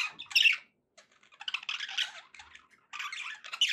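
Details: Pet budgerigars give short bursts of scratchy, squawking warble separated by brief quiet gaps.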